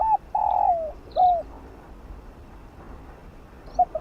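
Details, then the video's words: Spotted dove cooing in the field-style 'giọng đồng', used for training decoy birds: a long falling coo and a curved closing note, a pause, then the first short coos of the next phrase. "Chim cu gáy kích bổi gáy nhanh❣ tiếng chim cu đất gáy gọi giọng đồng kích bổi tập mồi hiệu quả"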